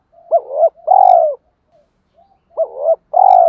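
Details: Spotted dove decoy call meant to provoke fighting, 'gọi hai hậu' style. A phrase with a dipping double coo and a long level-falling coo is given twice, about two seconds apart.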